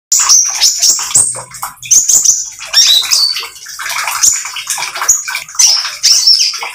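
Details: Spotted, vigorously singing oriental magpie-robin used as a lure to get other birds singing: a busy stream of high whistles, chirps and squeaky notes in quick bursts, over a constant hissing background.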